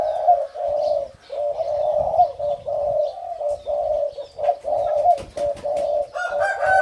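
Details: A five-month-old hybrid spotted dove, a young male in an excitable phase, crows in a steady run of low, hollow, husky coos, phrases almost back to back, with a few handclaps near the end.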